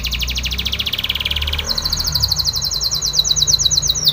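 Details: A singing canary, described as either a Belgian or a Spanish Timbrado canary, gives a training song of rapid metallic trills, a fast high rattle that shifts to a higher, slightly slower rolling phrase halfway through.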